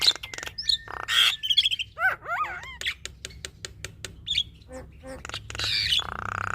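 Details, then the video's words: Singing female black-winged starling, caged, giving a busy mix of sharp chirps, squawks and curving whistled phrases, several slurred notes in quick succession, with a steady noisy hum at the close. "Suara Khas Jalak Kebo Betina Gacor Full Isian"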